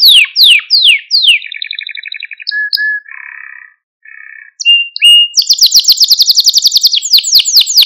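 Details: ['Malta canary song to stimulate young canaries: a few falling whistled sweeps, chopped trills, low buzzy notes with short gaps, then a loud fast run of downslurred chirps.']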